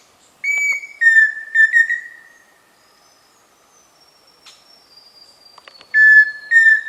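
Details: Pheasant cuckoo, locally called peixe-frito: a clear whistled high note, then a lower, slightly wavering sustained whistle. After a quiet gap with a faint high tone, another whistled phrase of the same kind follows.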